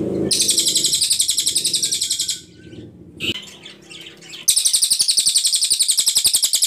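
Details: Very clear Ashy Tailorbird (cililin) song with long bursts, used to tutor songbirds such as shamas and magpie-robins: two extended high, rapidly pulsed buzzy trills, each about two seconds, separated by a pause of softer chirps.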